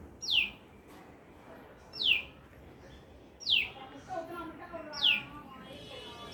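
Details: Bird chirping in a lemon tree: a clear, sharply descending whistled note repeated about every one and a half seconds, four times, with softer twittering from other birds and steady background noise.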